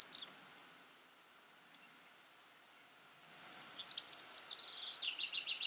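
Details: Yellow-fronted canary singing in the wild: a brief burst of high chirps, nearly three seconds of silence, then a fresh rapid phrase of bright twittering and warbled trills.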